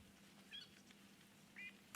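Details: On a morning safari drive near a buffalo herd, a fork-tailed drongo gives two short, high, metallic, robotic-sounding notes about a second apart over a low steady hum.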